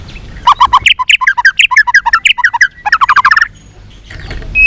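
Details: White-rumped shama in a singing contest: a fast series of short, buzzy, chattering notes, about five per second, speeding into a tight burst before fading to near silence.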